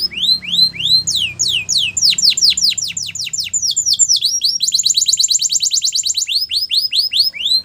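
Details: Belgian canary singing as training material for young canaries: slow downslurred whistles speeding into rolling series, a very fast dense trill in the middle, then looser repeated sweeps.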